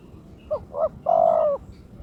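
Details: Turtle dove kept in a cage, in breeding condition, calling to challenge its opponent: two short separate coos followed by a long, level, sustained coo, with light background hiss.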